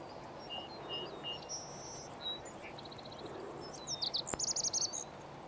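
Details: Lazuli bunting male's morning song in spring, May 13, 2020: scattered faint high whistles from other birds, then a loud burst of rapid, bright, high-pitched buzzy notes near the end of the clip.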